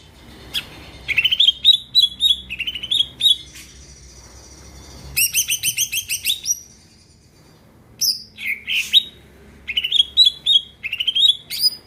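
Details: Greater green leafbird singing vigorously, played to make other birds sing and get worked up: varied phrases of quick upslurred whistles, dense bursts of rapid chirps and sweeping notes, with short pauses between.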